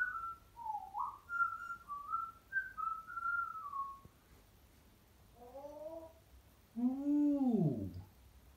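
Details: Bert, a pet African grey left alone in the room, whistles a quick run of clear, wavering notes, then gives a nasal squawk and a drawn-out, falling meow-like call.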